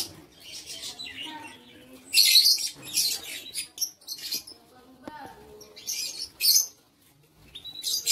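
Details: Aviary lovebirds on 7 April 2023: repeated short bursts of piercing, raspy chatter, with brief faint tonal chirps between the louder outbursts.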